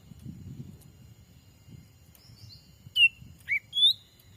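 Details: Sumatran forest bird-trapping lure imitating the black-capped bulbul. Three bright whistles near the end: a falling note, a short dip and a rising slur, after faint high notes and a low background rumble.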